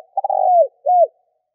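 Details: Decoy spotted dove cooing in the 'gáy gù' manner meant to attract wild doves: a few clipped stutters merge into a long, steady coo that slides downward, then a short pause and one rounded, falling coo.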